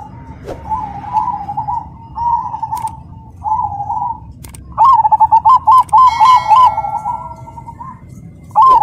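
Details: Zebra dove of the black cemani type, singing actively with a rhythmic, loud, clear voice: soft rolling coos, then a loud burst of rapid stuttering coo notes repeated several times per second, with other doves cooing quietly behind.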